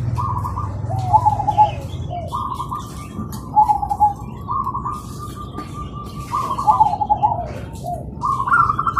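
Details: Several zebra doves (perkutut) singing in the morning, answering each other busily: repeated stuttering cooing phrases, each a quick run of soft notes, overlapping from different birds every two seconds or so, with low background hum.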